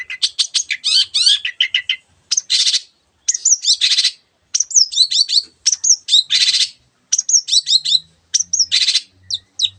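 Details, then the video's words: Cendet, the long-tailed shrike, giving 'gacor' master song with varied borrowed calls: fast stuttered chips, broad harsh bursts and looping whistled phrases, tightly packed with brief gaps. "cendet gacor masteran untuk burung yang susah bunyi banyak varian suara burung lainya"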